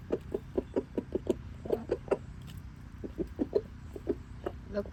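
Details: A rooster eating leftover bread makes weird short, clipped clucks in quick irregular bursts, several per second, while a person talks in the background.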